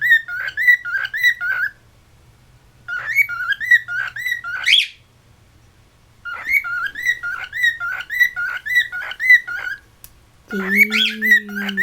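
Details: Pet cockatiel in West Newton, Pennsylvania, whistling its own tune: quick runs of warbled, chirpy notes about two per second, in bursts with pauses, ending as a person's voice starts.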